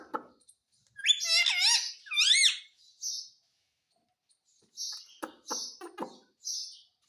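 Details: Parrot mimicking Hindi speech indoors: two loud, quickly wavering voiced phrases, then a string of short high squeaks and clicks after a brief pause.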